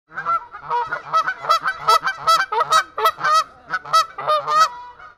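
Geese honk in a loud, nasal chorus, with harsh overlapping calls following one another several times a second.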